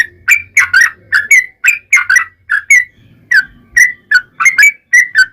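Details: Chattering song of a yellow-vented bulbul, played to make other bulbuls respond: clusters of bright, slurred chirps with a brief pause midway, over a faint low hum.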